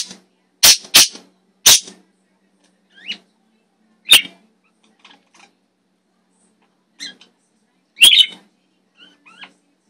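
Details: Pet parakeets in a quiet room give a few loud, harsh screeches early on, then sparse thin chirps and squeaks at irregular intervals. The blue one is the bird chirping and screaming.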